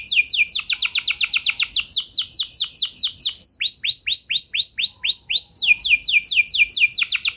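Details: Canary song for prompting other canaries to sing: fast falling high sweeps, then slower hooked whistled notes, then a return to rapid descending trills.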